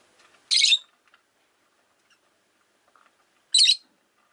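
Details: Pet rosy-faced lovebirds, five in a window-side cage, let out two short grating screeches about three seconds apart, with faint twitters between.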